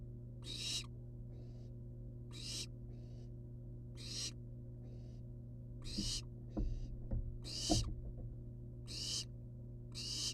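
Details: Several wild barn owl nestlings hang outside their box, giving a steady sequence of loud breathy hisses about once a second, alternating with softer replies. Dull bumps and knocks sound midway, over a low steady hum.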